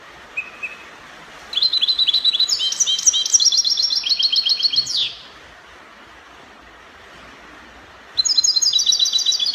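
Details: Goldfinch in Spanish copia song style from Morocco: a thin opening note, then three seconds of fast, bright, jangling twitter ending in a downward buzzy sweep, a pause, and the twittering resumes.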